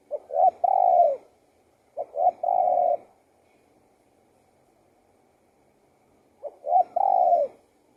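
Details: Spotted dove cooing: three low, gentle phrases, the first two a second apart and the last after a pause of several seconds. Each is a couple of brief notes followed by a prolonged, falling coo.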